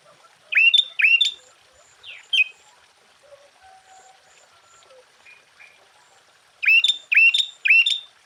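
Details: Sooty-headed bulbul singing to provoke rival bulbuls: loud upswept, hooked notes in short bursts of two or three, separated by a quiet gap with faint scattered chirps.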